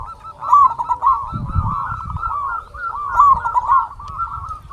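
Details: Zebra dove of a local strain, its song played to provoke other doves into answering: two strong phrases of fast, rolling coos, near the start and after three seconds, over quieter continuous cooing from further birds.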